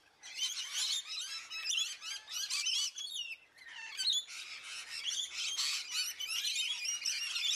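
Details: Male Painted Bunting song: rapid, high, warbling phrases of sweet chirps and slurred notes, delivered in dense bursts almost without pause, with a short break near the middle.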